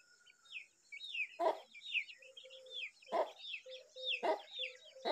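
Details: Young Brahminy starling guarding an egg gives loud harsh, noisy bursts about every second and a half, between them rapid varied squeaky, chattering notes, with a steady high hiss throughout.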